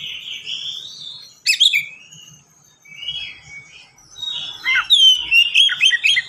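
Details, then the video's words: Kacer (Oriental magpie-robin) in speed-style gacor song with unique fill phrases, played to prompt birds to sing and copy; wavering whistles, a sharp crackling burst, then a busy stream of high whistled notes. "KACER GACOR SPEED RAPAT FULL ISIAN AMPUH UNTUK PANCINGAN BURUNG BAHAN"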